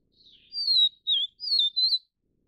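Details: Vivid niltava of the Taiwan endemic subspecies, in mountain broadleaf forest, while feeding chicks: four clear whistled notes near 4k, the second lower and downslurred, the last two wavering, after a faint softer lead-in.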